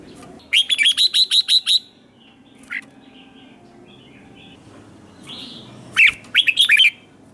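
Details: Red-whiskered bulbul singing in competition style to rouse wild-caught birds: a quick series of seven clipped high notes, a lone chirp, then a jumbled burst of sharp whistled notes, with faint background hiss.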